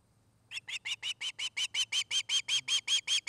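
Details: Osprey at a nest cam in Charlo, Montana, recorded on the afternoon of 29 August 2018: a sudden run of about fifteen sharp, whistled chirps, evenly spaced and growing louder, over a steady low electrical hum.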